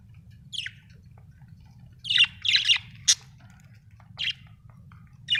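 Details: Budgie giving irregular chirps and squawky notes, a pair of louder buzzy calls around the middle and a sharp high note, then sparser chirps against a low hum.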